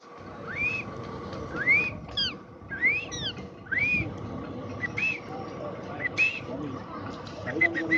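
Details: A caged female parrot, apparently angry, gives sharp, rising whistled notes about once a second, some clipped and chattering, over a steady low background hum.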